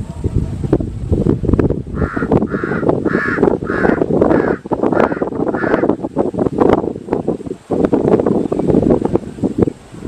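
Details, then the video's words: Crow giving a run of six evenly spaced harsh caws, roughly one every half second, over a dense low rumble of background noise; noise continues after the calls stop. "Crow birds original sound"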